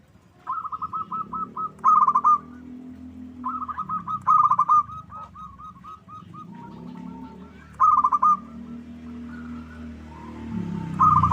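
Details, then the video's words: Local zebra dove (perkutut) lure song, meant to make other doves sing and answer: loud bursts of quick rolling coos near the same mid pitch at about 2, 4.5, 8 and 11 seconds, softer cooing between, low hum beneath. "Pancingan PERKUTUT LOKAL Agar Bunyi"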